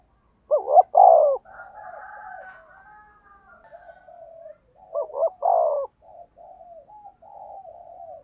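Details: Spotted dove used as a decoy, cooing in the fast 'thúc gù' style with a 'thổ đồng' voice: two loud stuttered coo phrases about four seconds apart, each followed by a string of softer, lower trailing coos.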